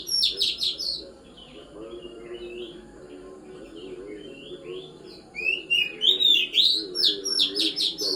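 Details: After a dew-bathing session, an Oriental magpie-robin sings bursts of buzzy, rapidly repeated notes, pauses with softer twitters, then resumes with loud sweeping whistles and fast chattering phrases; low murmuring noise underneath.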